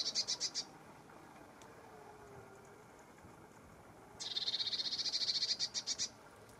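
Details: Lesser whitethroat: a short burst of rapid high notes, a pause of quiet hiss, then a longer dry rattle of about two seconds, slightly rising in strength, ending in a few separate clicks.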